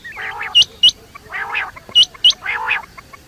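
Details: Quail at night giving harsh, nasal, rolling calls alternating with crisp high clicking notes in pairs, roughly every half second.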